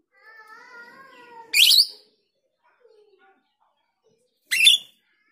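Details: Lure call of a female Grosbeak starling: a soft, steady tonal hum leads into a loud, rasping buzz. After a pause, a second identical harsh burst follows about three seconds later.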